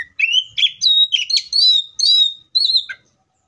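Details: An Oriental magpie-robin (Copsychus saucaris), described as singing in the wild, gives a rich, varied run of clear whistles and warbled phrases, about six bursts in three seconds, high and sweet with no other sounds.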